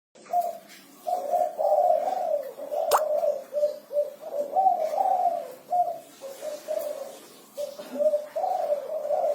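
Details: Spotted dove singing the kuku 6 style: a steady run of low, mellow coos, some with a slightly rising, buzzy inflection, delivered in clustered phrases with short gaps throughout, plus one sharp click near the third second.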